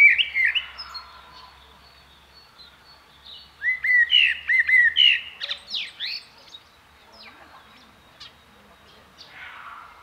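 A common blackbird gives mellow, fluty whistled phrases that slur up and down, ending in thin, squeaky twittering notes, with soft pauses between phrases.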